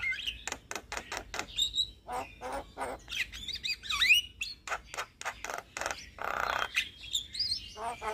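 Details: Javan myna, young and in lively song, recorded as a master for other mynas; rapid clicks and harsh chatter mixed with sliding whistles and a buzzy, rasping note.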